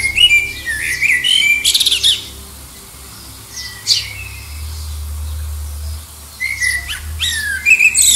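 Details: Common blackbird under the Liverpool Airport flight path, singing against distant rivals to find a mate: mellow warbled phrases with squeaky high flourishes at start and end, a low engine-like drone filling the quiet middle.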